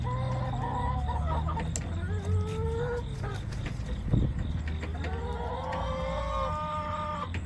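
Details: Backyard chickens on September 20, 2024, making sliding, drawn-out calls over a constant low rumble of background noise, with a burst of louder calling near the end.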